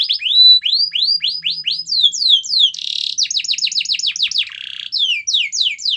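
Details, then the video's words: Canary's lure song to get other canaries singing: a series of quick descending whistled sweeps at about three per second, broken by short buzzy bursts. A rapid run of falling notes and a further string of sweeps follow. "Kenari Gacor Dor Pancingan Kenari Yang Lain Agar Bunyi"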